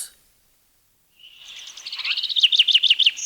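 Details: Common Chaffinch from the forest birds of Wielkopolski National Park, Poland, recorded around 1990: after a silent gap, a bright trill of repeated notes builds in loudness and speed, each note sharp and slightly falling, ending still in full flow.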